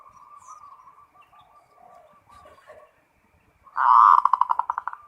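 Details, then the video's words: Zebra dove of a local strain in 'ngerot' style song. Quiet low murmuring gives way to a strong run of quick pulsed coos, tapering into evenly spaced stuttering notes near the end. "SUARA PERKUTUT FULL NGEROT"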